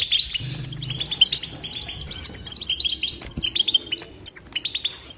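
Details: European goldfinch twittering in batbata style, a run of sharp high chirps, tinkling notes and brief buzzy trills with uneven spacing. A low hum sounds briefly near the start.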